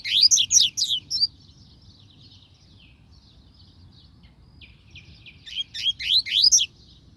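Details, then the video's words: Double-collared seedeater delivering loud, rapid rising slurred notes, then a long stretch of faint twittering, before another loud burst of sweeping whistles. "Coleiro canto top"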